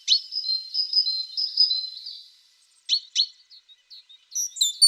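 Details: A tit gives a drawn-out, wavering high trill for over two seconds, then a few sharp, separate chirps and quick twitters.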